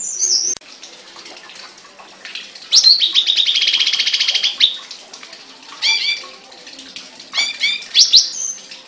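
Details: Songbird kept caged giving a long buzzy, rattling trill lasting about two seconds, followed by separate bursts of quick descending chirps and a thin whistle.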